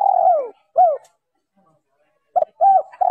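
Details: Female spotted dove calling to stimulate males, a trapping lure: a long hoarse descending croo and a short coo, a pause, then a stuttered note running into smooth arched coos.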